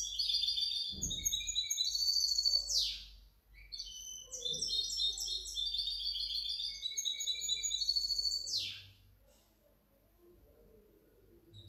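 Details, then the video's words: Hybrid European goldfinch, 2019–2020: long fast twittering song of tinkling, buzzy high trills and chattering phrases, broken near three seconds by a sharp downward swoop, then resumed before a second swoop and a quiet end. "otro mi mixto de jilguero 2019 2020"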